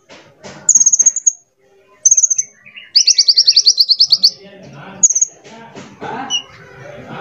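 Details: Sunbird tutor song meant to stir other birds to sing: two short high pulsed bursts, a long fast trill near the middle, then a single brief high note amid low background rustle.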